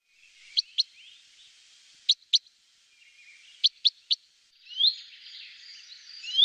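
A common chaffinch gives short, sharp high call notes in pairs and threes, followed by brief rising whistled notes from other birds.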